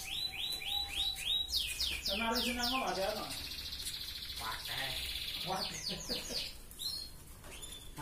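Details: Red canary singing in its 'gacor ngerek' style to raise breeding drive: fast repeated rising notes, loud rolling trills and a held buzzy passage, dense and continuous throughout, with some low-pitched sound beneath.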